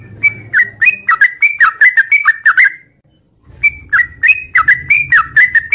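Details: Morning ngropel song of a sooty-headed bulbul: rapid chains of gurgling whistled notes, each slurring down then up, broken by a half-second silence before the quick run resumes, with a faint low hum beneath.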